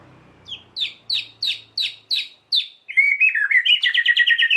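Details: White-rumped shama, used to provoke emotion in other shamas: seven emphatic downslurred whistles, then a rapid run of trilled, warbling notes; a faint low hum underneath at first.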